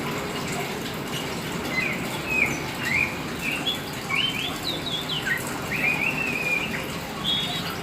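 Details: Black Oriental magpie-robin in full energetic song: a string of loud sweet whistles, rising slurs and fluttering trills, each phrase separated by short pauses, with faint background hum.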